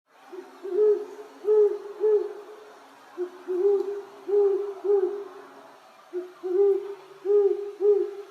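Great horned owl: deep, soft hoots in short runs of three or four, each a muffled low note, about one every second with brief pauses between runs.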